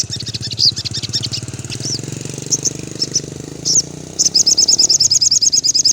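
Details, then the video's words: Afternoon song of a sogon, or crimson sunbird, aimed at off-form caged birds: scattered thin high notes over a low rumbling hum, then a rapid, regular run of bright chirps at the end. "suara sogon syahdu sore hari !!!! cocok untuk semua sogon ngedrop.."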